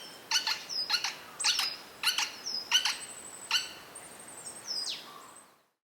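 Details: Rapid run of six loud, harsh clicky calls from a Hokkaido White-backed woodpecker, Ezo subspecies, roughly twice per second, mixed with high whistled notes and a falling whistle from other birds before fading out; Nikon COOLPIX P950.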